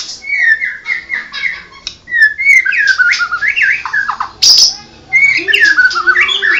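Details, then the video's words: White-rumped shama, Medan type with blorok plumage, singing repeated level whistled notes that build into rapid swooping phrases. A sharp harsh burst comes near the end before more varied whistles. "Burung Murai medan blorok"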